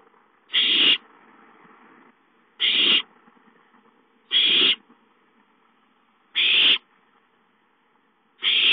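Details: Owlet begging for food, recorded 5-9-13 at home: rasping hissed screeches about every two seconds, five bursts in all, with a faint steady hum underneath.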